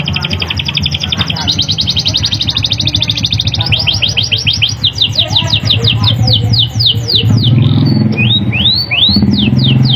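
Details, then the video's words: Canary's sharp rolling song, meant as a lure for reluctant canaries and as tutoring material: rapid high trills shift into series of rising whistled sweeps, over steady background music with a low beat. "PANCINGAN KENARI GACOR NGEROLL TAJAM, COCOK UNTUK MASTERAN BURUNG"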